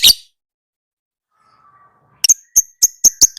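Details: Lovebird heard on a training recording: one shrill chirp, a long near-silent pause, then a quick run of short, bright, whistled chips repeated about four times a second.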